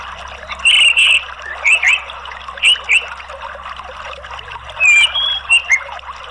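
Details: Therapy song of the orange-headed thrush (anis merah), intended to get a bird singing freely: bursts of rich whistled and warbled notes with rising and falling slurs, spaced by brief gaps over soft background chatter.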